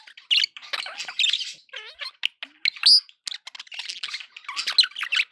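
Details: Cheerful pet budgies mixing harsh squawks with curling, wavering whistles and a bright high piping note, chattering in quick overlapping bursts.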